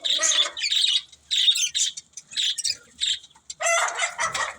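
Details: Short bursts of high budgerigar chirping, each lasting about half a second with quiet gaps, ending in a harsher, louder chattering burst.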